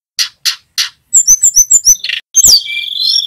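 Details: Tledekan gunung flowerpecker, a male in full song: three buzzy chips, then a quick run of high whistled slurs, ending in a long sustained high whistle.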